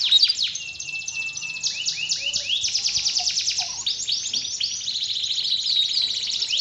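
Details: Domestic canary singing nonstop, played to coax a quiet canary back into song; long high rolling trills blending into bursts of repeated swooping whistles.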